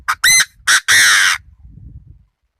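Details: Decoy Chinese francolin calling loudly at close range: three short harsh notes, then a longer strained, grating note. Faint rumbling follows.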